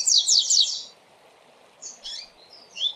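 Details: Double-collared seedeater in a fast 'tui tui' training song: a loud run of rapid, steeply falling notes at the start, then quieter scattered chips and a short whistle near the end.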